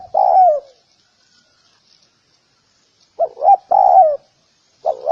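Spotted dove giving low, hollow coos, a drawn-out note then a quick two-part phrase, repeated after a pause of about two seconds.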